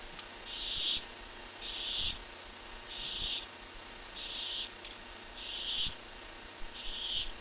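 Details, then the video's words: Barn owl at a nest box watched by a live camera, giving six long hissing screeches about once every second, each a broad rasping burst of noise, with a low steady hum underneath. "More strange sounds"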